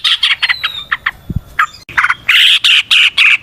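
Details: Yellow-vented bulbul in lively 'ropel panjang' style singing with a natural forest feel: bursts of loud, bubbly chattering notes, then a run of rapid, harsh repeated phrases. A short low thump is heard in the middle.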